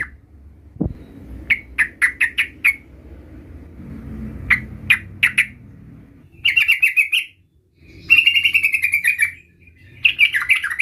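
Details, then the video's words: Sooty-headed bulbul, a young caged bird learning to roll its song: spaced bursts of four or five sharp clipped notes, then quick rolling trills in separate phrases, with low indoor rumble between. "suara trucukan gacor belajar Ngerol"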